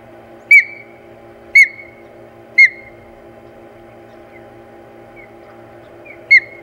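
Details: Osprey at a Hog Island nest on 4 May 2020, calling during a fight over the nest: four loud whistled chirps, each sharply dropping then trailing off, spaced about a second apart over a steady low hum.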